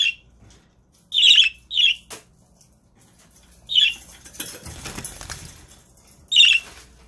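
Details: Male budgerigar defending the eggs squawks harshly four times at uneven gaps, with wing flapping and rustling noise in the middle of the recording.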